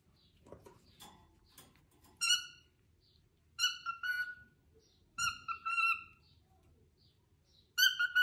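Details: A pet cockatiel playing with a plush cockatiel mimics human speech in short, bright, harmonic bursts, repeating the Dutch word "kiekeboe" (peekaboo).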